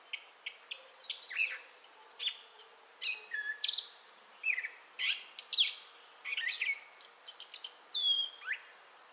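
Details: Gray catbird singing in southwest Michigan in May 2011: a rapid, varied jumble of squeaky whistles, mewing slurs and sharp chips at many pitches, phrases following one another almost without pause, no other sounds.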